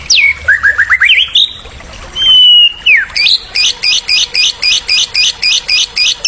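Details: A white-rumped shama, male, Medan type, in a stimulating tutor song: descending and ascending whistled notes, a long level whistle, a sharp downward slur, then a steady series of about a dozen high repeated two-part chips.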